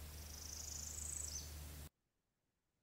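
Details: A Northern Parula, a common bird found in swamp field recordings, gives its high, buzzy trill that climbs steadily in pitch before cutting off sharply, over a low steady hum.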